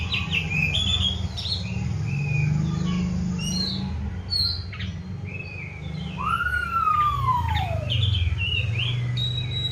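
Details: Caged Oriental magpie-robin, given crickets and bathed morning and evening, singing scattered high chirps and a single long descending whistle in the middle, with a loud low rumbling hum throughout.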